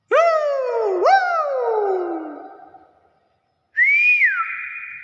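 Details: Common hill myna calling, two powerful upward-swooping whistles that fade slowly downward, then after a pause a bright rising whistle that drops and levels off.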